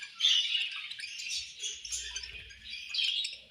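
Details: Several budgerigars described as angry at lunch time, giving dense, overlapping high chirps and scratchy chatter that swell and fade, with a louder burst near the start and another near the end.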